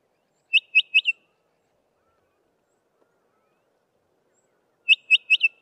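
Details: Bokmakierie near Trumpeter's Drift, near Grahamstown, South Africa, gives two bursts of four quick, ringing whistled notes about four seconds apart over near silence; the species is named after this onomatopoeic call.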